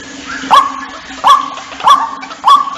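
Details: Lure call of the white-breasted waterhen, meant to bring waterhens together: four strong, harsh notes, each sliding up sharply then flattening, spaced about 0.6 seconds apart over a low constant hum.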